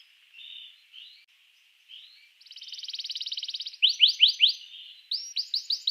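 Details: Canary song played to get other canaries singing: soft warbled notes, a rolling buzzy trill, then loud repeated downward-sweeping whistles in quick groups.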